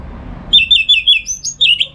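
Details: Orange-headed thrush kept in North Bali, singing loudly in the morning for training other songbirds: a quick run of downward-slurred whistled notes, then a few higher, sharper notes, all very close and clear.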